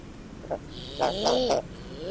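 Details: Common eider: a short, quiet burst of low arched calls, each swelling up and falling back, grouped in the second half, with a faint higher tone above and one more rising call at the very end.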